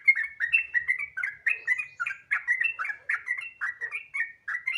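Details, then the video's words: Sooty-headed bulbul singing as a lure to make other bulbuls sing: dense, cheerful run of bubbly, slurred whistles, about three notes per second, in an otherwise quiet setting. "Pancingan Trucukan Gacor Ropel Santai Sangat Ampuh Bikin Trucukan Lain Cepat Bunyi Gacor Ropel"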